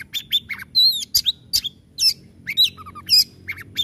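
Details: Oriental magpie-robin (kacer) with a short burst of 'tembakan' song: a pure whistled slur, then sharp harsh chips and buzzy notes repeated in quick succession.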